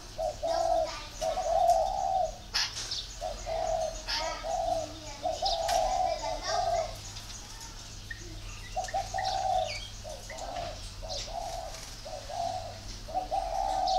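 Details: Spotted dove from a breeder's garden in northern Vietnam, voice style 'very taut'. The coo phrase repeats about seven times, each a warm, rounded note group a second or so long, with clicks and a steady low hum.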